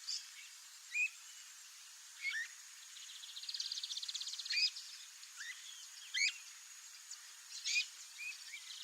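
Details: A wild Streamer-tailed tyrant (Gubernetes yetapa) in Brazil calls: sharp, high, upslurred chip notes every second or two, broken by a quick dry rattling series, over a steady thin insect hum.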